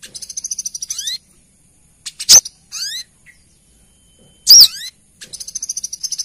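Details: Brown-throated sunbird female calling for a male: long high ticking trills opening and closing the clip, with two loud piercing chips and short buzzy sweeps between them.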